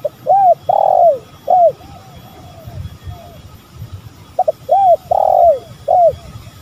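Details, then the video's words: Spotted dove, male and female calling for luring: two phrases of short, throaty coos, each phrase ending in a longer, descending note, with soft low murmuring between the phrases. "Pancingan tekukur gacor"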